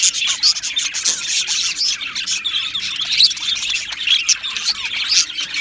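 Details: Australian budgerigar colony in an aviary, 12 July 2025: lively high chatter of many birds, with clear whistled chirps and squeaks standing out above the continuous warbling.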